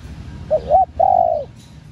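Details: Female spotted dove calling to stimulate male doves: one phrase of a short, wavering double coo followed at once by a longer, steady, low coo that drops at the end, over quiet background.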